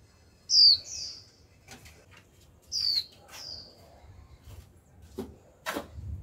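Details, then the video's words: Young female white-eye kept in a cage calling 'chíu' to spur newly caught birds to sing; two high falling whistles, each followed by a softer trailing note, then scattered clicks and taps. "Khuyên mái tơ chíu liên tục kích bổi líu ngay!"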